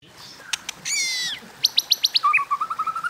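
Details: White-rumped shama in competitive song of the 'kéo thuốc lào' style: a burst of high buzzy notes, then a fast run of five sharp high pips, followed by a steady string of rapid repeated mid-pitched notes that rise slightly.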